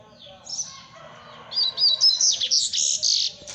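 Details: Double-collared seedeater song: a soft thin note, then a quick run of sweet whistled slurs that turns into a loud, dense, buzzy trill of high notes lasting about two seconds.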